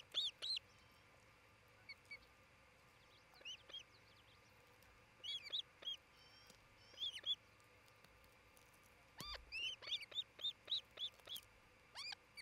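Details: Nesting osprey near Charlo, Montana, by a nest camera on 27 June 2018 around noon: scattered clusters of high, shrill chirps, then a quickening run of repeated whistled yelps toward the end over low background hum.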